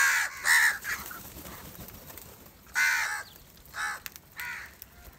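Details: House crows calling angrily while gathering over rice food; loud harsh nasal caws, a pair near the start, then another about 2.8 s and more around 4 and 4.5 s, against faint background noise.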